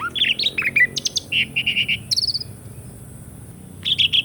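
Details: Asian pied starling song for birds that have stopped singing: a rising whistle, quick varied chirps and a short series of rounded repeated notes, a high buzzy note, then silence before a brief closing chatter.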